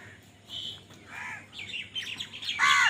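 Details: Crows squabbling over food, giving harsh, arched caws of rising loudness, several calls overlapping, with the loudest burst near the end and a low steady hum underneath.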